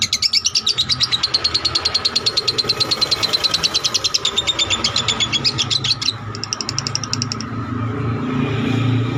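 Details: Caged lovebird delivering a long ngekek trill for tutoring other birds: a fast, even run of high buzzy pulses lasting about six seconds, then a shorter higher burst, with low rumbling noise underneath.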